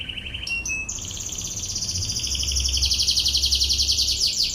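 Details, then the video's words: Canary singing in the ngebren 'tembakan' style, recorded as a tutor song: a few high separate notes, then a long rapid rolling trill that climbs and holds high, pulsing steadily throughout. "MASTERAN BURUNG KENARI//TEMBAKAN NGEBREN"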